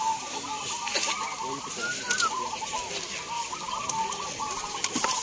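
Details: Chorus of contest zebra doves at a local singing competition in Gunung Kidul, Yogyakarta, Indonesia; rapid rolling cooing phrases overlap continuously, one brief rising-falling coo standing out midway, over a hissy crowd background.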